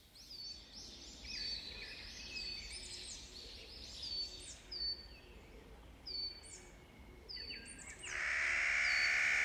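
Clark's nutcracker giving a string of harsh, nasal, high calls, about a dozen in nine seconds, over soft background hiss that ends in a loud rushing noise.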